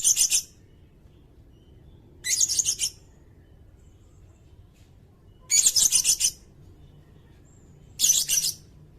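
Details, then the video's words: Sirindet singing, recorded for tutoring competition songbirds: four very high, rapid chattering phrases of stuttered chirps, each under a second, spaced two to three seconds apart over faint low background hum. "Suara burung sirindet"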